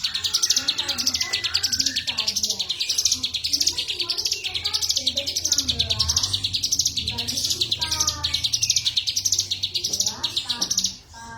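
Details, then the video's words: A cigun keeps up a long, busy run of high chirps and trills, undulating steadily in pitch, over quiet low background sounds that resemble distant voices. "cigun gacor"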